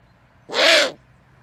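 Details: Great horned owl uttering a single coarse, hissing screech of about half a second with a slightly arched tonal undertone; the background is quiet.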